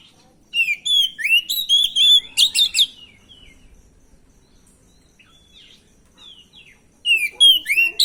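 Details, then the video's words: Song of a stressed, untrained oriental magpie-robin, played as a lure to make other birds answer. Rapid bursts of sharp, varied whistles and chirps, some swooping up and some down, pour out for about two seconds. Near silence follows, then another lively burst. "suara pancingan burung Kacer bahan dan stres,pasti langsung nyaut"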